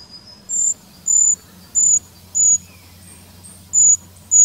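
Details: Eurasian treecreeper in the Wittlicher Tal, Germany, gives very high, thin, piercing 'srree' notes, each brief and repeated roughly every half second, over a faint low hum.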